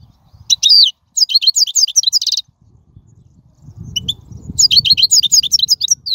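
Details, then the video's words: European goldfinch, wild, singing a recording used to teach young birds: sprightly high twittering phrases with a buzzy trill, a gap, then more chattering notes over a soft low rumble. "من أقوى اغاني | طائر الحسون | البرية"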